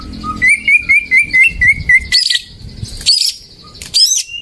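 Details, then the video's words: Lure song of a greater green leafbird for birds that won't sing: a steady chain of bouncing repeated notes about five per second, then separate high sharp buzzy bursts. "Pancingan burung cucak ijo macet"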